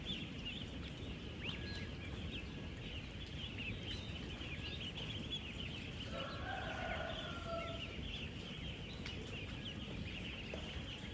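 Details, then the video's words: Ten-day-old ducklings by the thousands, some 16,000 on a real duck farm, interacting as they feed and drink: ceaseless high chirping from the flock, a short, clearer squawk in the middle, and a heavy low hum throughout. "16,000 Ducklings Making AMAZING Sounds!"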